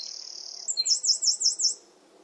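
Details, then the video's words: Eurasian wren singing in a garden, slightly hidden: a high, rapid, unbroken trill for well over half a second, then a quick run of five sharp, looping whistled notes before it stops abruptly; little else is heard. "Wren Song"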